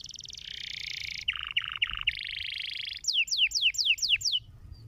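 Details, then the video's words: Stimulating canary song: fast buzzy trills alternating with three and then six quick downward-sweeping whistles, the final series rapid and evenly spaced, with faint low rumble underneath. "Tweet di noce per allenare il suono del materiale canarino"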